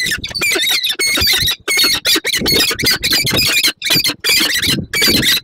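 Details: Peregrine falcon at its nest in Słupsk, Poland, on 5 April 2022, after leaving a prey gift and then meeting its mate: loud, harsh, rapidly repeated grating calls in an almost continuous chattering series.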